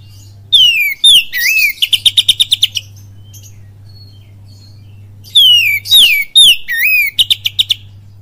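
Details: Oriental magpie-robin lure recording, kapas tembak style with cililin: repeated phrases of sweeping downward whistles and a curling note, then a fast even series of crisp ticks, with a quiet pause between phrases and a faint hum.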